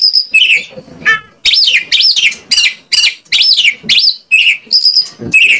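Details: White-rumped shama song as a lure to make shamas answer: a string of about eight loud, falling, swooping whistles roughly every half second, framed by high thin notes.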